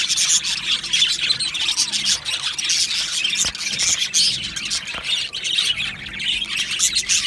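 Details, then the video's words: Male budgerigars, two birds, chatter loudly: fast high chirps mixed with harsher squawky notes in an unbroken stream, broken by a few sharp clicks. "2 Male Budgies Birds Sounds | Australian Budgies Birds chirping sounds"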